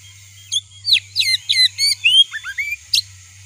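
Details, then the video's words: Oriental magpie-robin (kacer) lure song, meant to rouse a kacer into excited singing: a quick run of varied whistled notes, sweeping up and down, mixed with sharp buzzy bursts, over a steady high whine and a low hum. "Suara Pancingan Kacer Agar Cepat Emosi Gacor ! Pancingan Paling Ampuh Buat Menaikan Emosi Kacer"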